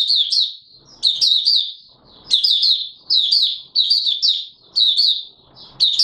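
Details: Oriental white-eye in full song on 24 March 2022, giving high, squeaky warbled bursts roughly every second, each a quick run of sweet chirps separated by brief gaps with faint rustling.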